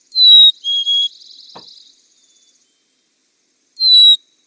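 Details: Black-capped Chickadee singing its clear whistled "cheeseburger" song, a high pure note dropping to a slightly lower one, then another high whistle; another male faintly answers in the background, singing back and forth, heard from early spring.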